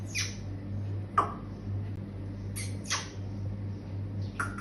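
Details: Black francolin, called kala teetar and described as a pure Sheedi line, gives harsh, grating squawks that sweep sharply downward, four of them spaced unevenly over a few seconds, above a steady low mechanical hum.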